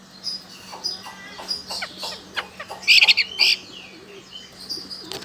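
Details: Chinese hwamei, a loud-voiced bird from China, in Sokaraja, Banyumas, Central Java, Indonesia; soft chips then a short loud burst of buzzy, trilled high notes near the middle, with background hiss.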